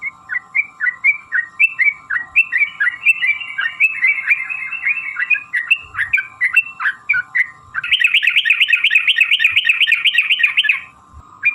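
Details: Sooty-headed bulbul lure song, long rapid style meant to provoke other bulbuls into singing: bouncing whistled notes speed up, then switch to a dense, fast chattering trill before a short pause, over a steady background hum.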